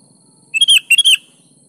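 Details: Sooty-headed bulbul (kutilang) lure song, 'gacor' style: one brisk phrase of two bubbling, chirped note clusters, loud and clear against faint low background noise.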